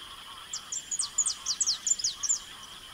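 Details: Saffron finch singing in the Pantanal of Mato Grosso, Brazil: a quick series of thin, high, sharply downslurred notes over a steady high-pitched insect-like drone and a fainter lower hum.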